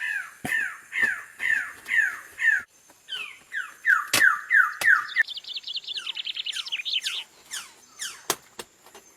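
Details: Greater lophorina giving a series of harsh, downslurred, crow-like notes about twice a second, then a run of flatter buzzy notes, then a quicker, higher chattering sequence; sharp clicks break in at intervals.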